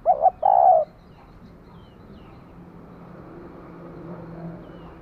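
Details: Female spotted dove calling to stimulate a male: a short, hollow coo phrase of two quick notes and a longer mellow note, then only faint rural background.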